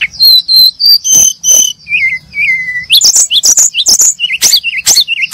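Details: Brown-chested jungle flycatcher chirping busily: level whistled notes, short wavering whistles, then a rapid jumble of sharp, high chirps and twittering phrases.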